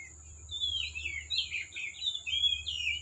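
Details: Oriental magpie-robin in the forest, heard more distantly: a continuous run of jumbled, scratchy warbled notes over a low rumbling background hum and a steady thin high tone.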